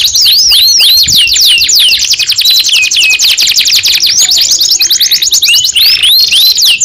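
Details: Canary, a juvenile in training, pours out a fast continuous song of sharp descending whistles and dense rattling trills, very high and loud, with a few looping sweeps near the start.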